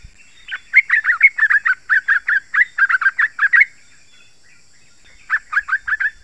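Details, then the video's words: Yellow-vented bulbul in continuous dense song intended to call out wild bulbuls: a long run of rapid, evenly spaced gurgling notes for about three seconds, then a shorter burst after a pause. "Trucukan Gacor Rapat Suara Tajam"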